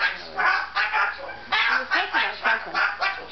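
A Moluccan cockatoo gives a run of short, hoarse, voice-like squawks, about six bursts in three seconds, rising and falling like chattering speech.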